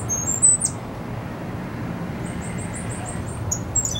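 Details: Cuban grassquit, a white-footed bird of good size, singing: high, thin chips, then a quick series of about eight short upslurred notes repeated evenly over one second, over a steady low hum.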